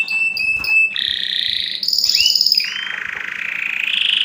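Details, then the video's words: Canary singing short high chip notes, then a lower rapid trill, a rising sweep into a high tour and a downward slur into a long buzzy mid-pitched roll. "أقوى تغريد كناري لتسميع الطيور"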